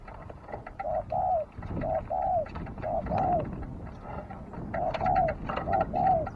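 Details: Dove cooing in a repeated series of short, low, hollow two-part notes, some paired, over a steady rustling background hiss.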